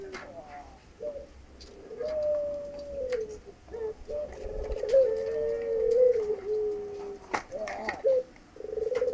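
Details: Puter pelung dove, native to Indonesia, courting a female: after soft scattered sounds, a rising then sustained low coo with wavering tone, a brief break, and a final short coo; clicks and faint background voices.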